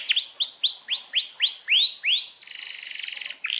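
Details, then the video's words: Canary singing a series of swept whistled notes, each sliding up, about four per second, followed by a fast buzzy trill and a final downward note. "Kenari GACOR PANJANG INI Cocok untuk Masteran KENARI PAUD dan Kenari Macet BUNYI"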